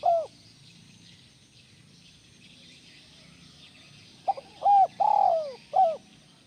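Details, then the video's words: Spotted dove calling as sound therapy to get other doves cooing. A clipped coo opens the clip, then after a quiet stretch comes a full phrase of short pips, an arched coo, a long falling coo and a final short coo, with faint insect hiss. "Tekukur Mana Yang Nggak Gacor Dengan Terapi Suara Tekukur Joss ini"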